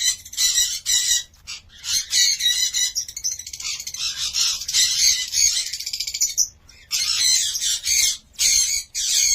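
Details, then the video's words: Cockatiels giving a rapid, scratchy stream of high chattering calls in short bursts separated by brief gaps, with a longer continuous run in the middle. "COCKATİEL SOUND"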